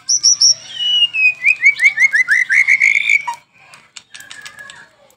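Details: White-rumped shama singing energetically on a lure recording for caged birds: a few high notes, then a long run of slurred whistles stepping down and back up, about two per second, followed by quieter chatter.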